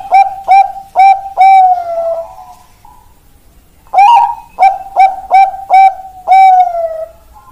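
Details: Zebra dove (perkutut Bangkok) song: four quick coos ending in a long trailing note, a silent pause, then a second phrase of five short coos and another long held note.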